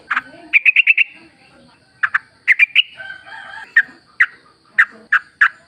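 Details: Sooty-headed bulbul heard in nature sound meant to coax caged birds to sing: a rapid run of bright chirps, then scattered single sharp notes, with a soft low murmur beneath.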